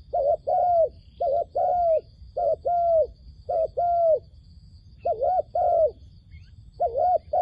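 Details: Decoy dove at a trap calling to draw in wild doves, a long series of paired coos, each a quick wobbling note then a longer arched one, repeated at an even pace with low background rumble.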